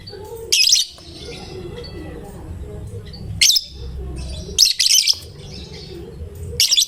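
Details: Fighter-style lovebird, described as gacor and able to draw any lovebird into singing, gives piercing high chirp bursts, including a quick double burst near the middle, with faint softer chatter between.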